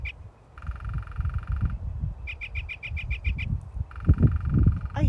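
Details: Northern Flicker calling and pecking, a rapid run of about nine sharp, even notes between two longer, steady, nasal tones, over heavy breeze and a voice.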